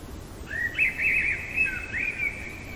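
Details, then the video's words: A Common blackbird singing in the middle of the night gives one long, fluty, warbling phrase that rises and falls in the mid range, with a faint steady background hiss. "Merle chantant au cœur de la nuit"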